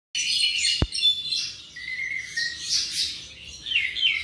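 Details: Tropical mockingbird about seven months old singing a continuous varied warble of high chirps and trills, with a sharp click near the start and a drawn-out whistled note midway.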